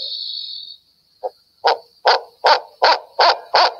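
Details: Barred owl's "who cooks for you" call, muffled and nasal: a run of hoarse hoots, about two or three each second, after a steady high whine at the start.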